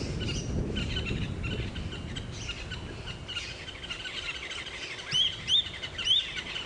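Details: A Fork-tailed Drongo mimics a dark-morph Wahlberg's Eagle's call, three high, thin, slurred whistles about half a second apart, over low wind rumble and background noise, on a sunrise safari drive on 9 November 2016 with the eagles nearby.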